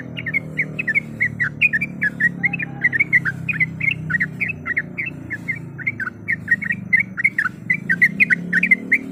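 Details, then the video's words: Calling female yellow-vented bulbul summoning a male, used as a lure to anger rival birds. Lively chattering of liquid, bubbly notes runs steadily for several seconds against a noticeable low droning hum. "Suara Panggilan Trucuk Gacor Mencari Lawan Auto Emosi"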